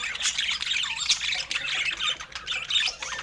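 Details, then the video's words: Several budgerigars at fruit and healthy food keep up a constant high chatter of overlapping buzzy chirps, squeaks and short warbled notes that swell and ease every half second or so. "Budgies with Natural Sounds"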